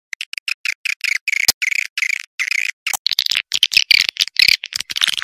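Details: Swiftlet sound, "Awan hitam" style: rhythmic buzzy chirps at first, then a busier, overlapping chatter mixed with sharp clicks during the second half.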